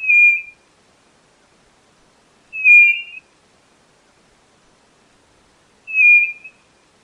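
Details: Pure whistled notes of a white-bellied nothura, three evenly pitched phrases about three seconds apart, against silence.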